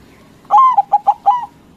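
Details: Local white zebra dove giving loud song as a lure for rival doves to answer. A single phrase: a long sliding coo, two quick short notes and a final longer coo.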